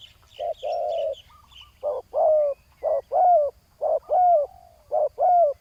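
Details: Spotted dove used as a ground-level decoy to lure a rival wild dove: deep purring coos in short and drawn-out bursts, several with a rising-then-falling overtone, repeated about once a second, faint high chirps early on.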